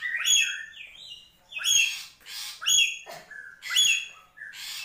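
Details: A black-capped lory from Papua gives harsh, squawking calls mixed with sharp whistled notes, in bursts about once a second.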